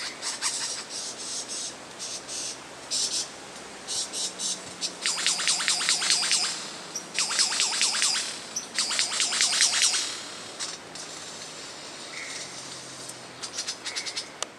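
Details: Australian lyrebird song built from mimicked sounds: long buzzy, rattling trains alternating with quick high twitters and chirps, varied in rhythm over the whole stretch.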